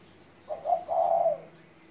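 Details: Spotted dove, 17 years old, uttering one mellow coo with a brief opening syllable and a sustained throaty second note lasting about half a second; otherwise quiet.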